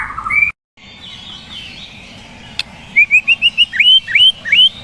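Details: A murai song. After a short faint phrase comes a quick series of about a dozen short rising whistles, each sweeping upward, over a soft background hiss.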